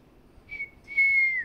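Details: Pet African grey parrot indoors, whistling while asked if it will say nothing: a short steady whistle followed by a longer level whistle that dips at the end.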